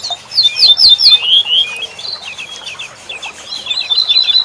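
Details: Corn bunting song played for tutoring songbirds: a quick stuttering run of high, sharp chirped notes slurring into a short descending jangle, then scattered thin chirps and another fast, high, rattling series near the end.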